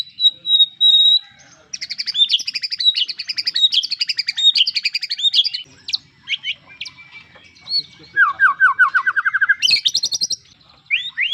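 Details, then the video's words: White-rumped shama pouring out a long, dense song: a pure high whistle, then fast jumbled warbling, a sustained thin tone and a quick descending run of notes. "suara kicau murai batu"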